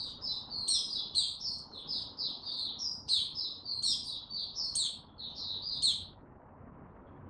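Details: White-eye, a male gaining confidence before opening into song, slow and steady, 6 March 2022; about six seconds of fast, high, jingling twitters with sharp upper notes, ending in quiet hum.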